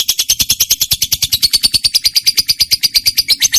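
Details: Lovebird, a trained singer, giving continuous rapid shrill chatter, the quick high notes repeated evenly with no gaps.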